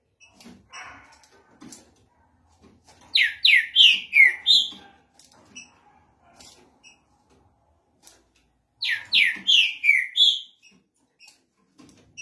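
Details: Trinca-ferro (green-winged saltator) repeats a rich whistled phrase twice, about six seconds apart, each of five rapid down-slurred notes ending on a steadier one, in a quiet indoor setting.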